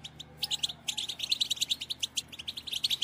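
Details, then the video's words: Female European goldfinch batbata, a chatter that stimulates males to sing and mate: rapid, evenly pulsed high twittering notes running almost without pause, with faint low background hum. "بتبتة أنثى الحسون"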